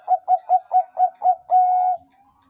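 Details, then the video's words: Zebra dove in Bangkok-style song (perkutut bangkok): six rounded, rapid coos running into one long, steady sustained note. "suara perkutut bangkok"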